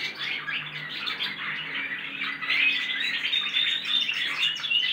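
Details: Young goldfinch x canary hybrids practising song, about six of them singing in canary style: a continuous bright twittering of rapid chirps and short trills, growing louder halfway through, with a low steady hum underneath.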